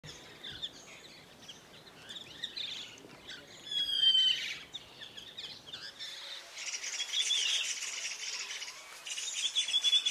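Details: White-throated Laughingthrushes (Garrulax albogularis whistleri) at Pangot, India, in November 2023 give thin, high squeaky whistles and dry chattering notes in quick, uneven bursts, with a hissing buzz filling the later part.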